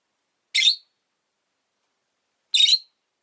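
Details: Rosy-faced lovebirds, a pair of caged pets bunched at an entrance, give two abrasive, buzzing screeches spaced two seconds apart, otherwise quiet.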